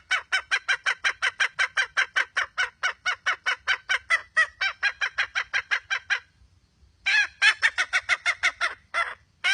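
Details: Rapid, evenly spaced harsh clucks from a wild red junglefowl hen run unbroken for about six seconds, then a brief silence before a louder, slightly quicker cluster of clucks.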